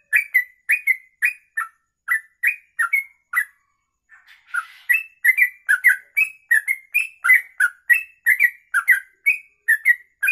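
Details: Sooty-headed bulbul (trucuk) in rapid long 'kongslet ropelan' song for tutoring: whistled slurred notes in a quick run, a brief pause with a soft hiss, then an even denser burst of ringing notes.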